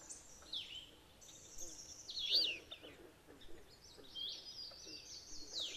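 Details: In Maine scrub, a vocal pair of alder flycatchers drives off a rival from their territory, giving high, thin slurred notes that sweep down and up, with a loud sharp call near the middle.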